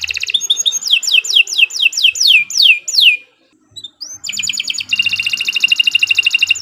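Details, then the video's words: Kenari Nusantara canary song with a run of falling whistled slurs, a short silence and a rising note, then a long, rapid buzzy trill over a faint low hum. "Kicau Burung Kenari"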